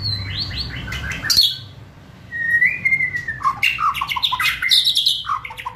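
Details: White-rumped shama song used to provoke and speed up singing: loud varied phrases of harsh chattering notes, a long rising-then-level whistle, then dense bursts of scratchy and whistled notes.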